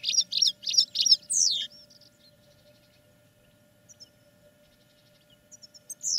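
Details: Caged European goldfinch during training, repeating a bright chirping note four times in quick succession, then a sharp descending slur, silence, and a final loud twittering note; faint hum underneath.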